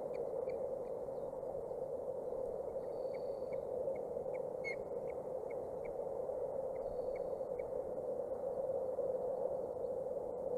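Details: Osprey chicks aged 29 and 27 days at a nest in Boulder County, Colorado, on 14 June 2019, give short, high, whistled chirps in loose runs of about two per second, with a few drawn-out notes, over a steady low hum.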